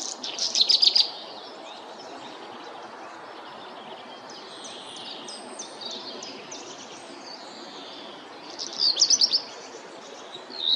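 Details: Black redstart song: two short bursts of rapid, bright ticking notes at the start and near the end, separated by a quiet stretch with faint, thin high calls and steady background hiss.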